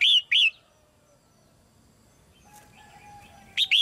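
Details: Caged female red-whiskered bulbul singing to encourage newly grown young birds to sing more: a quick pair of loud, liquid whistled notes, a long quiet gap, then another pair at the end.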